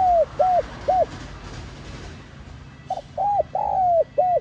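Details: Spotted dove (cu gáy, cu đất) in the 'giọng son' voice style, a calling-urging coo. Three short arched coos, a pause, then a phrase of a brief note, an arched coo, a long drawn-out falling coo and a short final coo.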